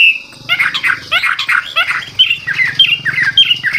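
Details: Old wild Chinese hwamei decoy singing to stimulate newly caught birds. Short bursts of rough, buzzy, chattering notes follow an opening pure whistle, then clipped whistled slurs repeat quickly, over a low background hum.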